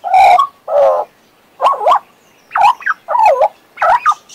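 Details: Pet Western Australian magpie warbling in six spaced bursts: two broad throaty notes, then looping, twisting whistled phrases roughly every half second.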